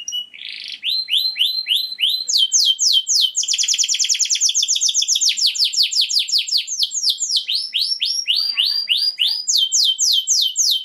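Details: Male canary singing to stimulate and prepare females for mating, a long sequence of quick repeated down-slurred whistles, switching among rolling trills, a dense rapid buzzy rattle and higher sharp chip series, delivered continuously and loudly.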